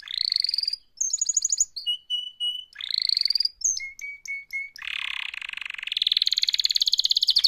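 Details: Mating-call song of a canary: buzzy rolling trills alternating with pure level whistles and short falling notes, ending in a long, loud, rapid trill that rises in pitch.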